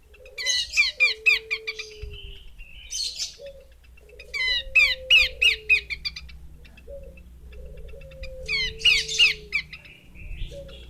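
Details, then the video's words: Female Horsfield's babbler: three clusters of quick, harsh, downward-sweeping chirps, each burst of several notes, separated by a low drawn-out whistle and faint low hum. "Burung Pelanduk Semak Betina"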